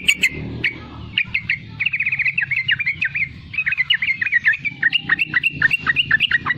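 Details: Young yellow-vented bulbul in lively riwikan chattering song, used to lure and train other bulbuls to sing: a steady stream of short bubbly, warbled notes at mid-high pitch, quickening toward the end.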